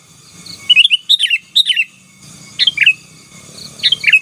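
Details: Sooty-headed bulbul singing in the chattering 'gacor' style, meant to dominate rival birds: bursts of quick, bubbly chirped notes, first a run of about five, then two shorter pairs, over a faint low hum.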